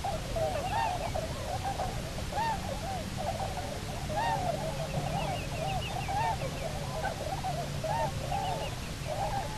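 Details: Returning Bermuda petrel (cahow) pair on Nonsuch Island, Bermuda, 29 October 2018: near-continuous series of short arched moaning notes, several a second, with a faint higher wavy trill and steady low wind and sea roar.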